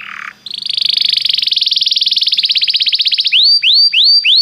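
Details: Belgian canary warming-up song: a brief buzzy note, then a long rolling trill that slows into distinct pulses, ending with loud rising whistled notes repeated about three per second.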